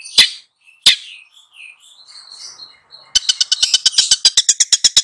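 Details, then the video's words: Long-tailed shrike singing for two young birds it is tutoring: two sharp harsh notes and soft warbling, then a fast, steady rattle of clipped, harsh notes. "SUHU CENDET FULL GACOR MELATIH 2 MURIDNYA"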